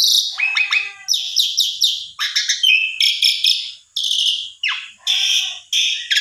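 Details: Asian pied starling song meant to draw a reluctant bird into answering: loud harsh chattering bursts mixed with downslurred whistles and rasping phrases, delivered in quick separate segments.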